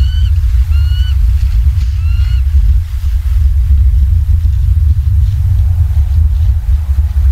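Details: Bald eagles in Southwest Florida, recorded by live camera at 19:15 on 28 October 2022: a few high, thin chirping notes in the first seconds, then only a heavy low rumble with faint background sounds.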